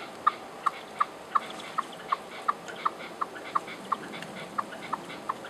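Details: Red-legged partridge singing in the hills above Genoa, Italy; a steady series of short, clipped, mid-pitched notes repeated about every third of a second, fourteen in all, over a quiet hiss of background noise.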